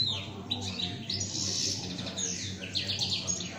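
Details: A caged European goldfinch sings a fast, unbroken stream of bright, liquid twitters and tinkling trills, with a low steady hum underneath.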